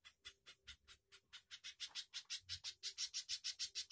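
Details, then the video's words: A spiderhunter gives a long, fast, steady run of harsh, high, scratchy chips, about three a second, growing louder toward the end. "CIJANTUNG/PIJANTUNG GACOR KONSLET"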